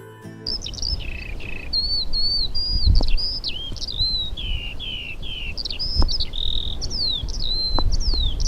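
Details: Eurasian skylark singing over fields in Poland, heard soon after its February return; sings in flight to mark territory in open country. Continuous fast stream of high whistled, slurred and trilled notes, rising and falling, with faint low background rumble.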